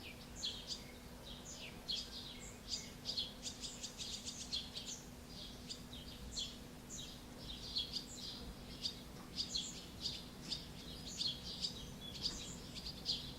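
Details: Barn swallows at Alzira, Valencia, Spain, late June 2016, a pair feeding one of their chicks: dense, continuous high twittering and chattering chirps throughout, over a low steady electrical-like hum.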